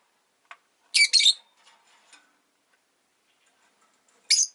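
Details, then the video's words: Rosy-faced lovebird calling: a pair of harsh, high, shrill chirps early, faint clicks and rustles, then another sharp chirp near the end. "Lovebird Chirping Sounds"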